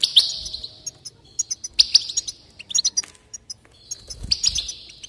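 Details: Goldfinch song used to encourage singing: three buzzy twittering bursts with sharp chips between them, the last rich and tinkling, over a quiet background.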